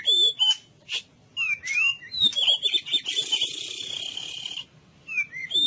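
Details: White-rumped shama full cililin masteran for tutoring other birds: crisp whistles and crossing slurred notes, followed by a long rich warble held for nearly two seconds, then a final whistle.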